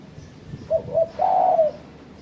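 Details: Spotted dove call used as a lure to challenge rivals: two short low coos followed by a longer, drawn-out cooing note, all at low pitch, over quiet background hiss.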